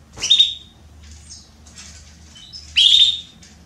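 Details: Female Belgian canary soliciting mating, giving two loud, sharp chirped calls with a bright tone, one at the start and one near the end, separated by faint softer chips.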